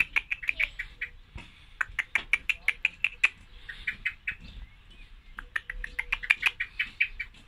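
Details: A female common blackbird calls steadily with a rapid stream of short, sharp chips. The chips come in clusters separated by short gaps, and a low murmur runs faintly underneath.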